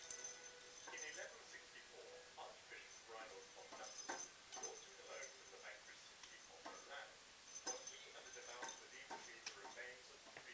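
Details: An angry pet budgerigar trying to destroy his new toy chatters in quick, scratchy bursts of high warbles, clicks and squeaks.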